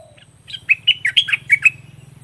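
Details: Olive-winged bulbul decoy bird, kept to lure rivals in a southern Thai trapping tradition, gives a fierce, doubled phrase: about eight loud, bubbly, slurred notes in quick succession over roughly one second, with a low hum underneath.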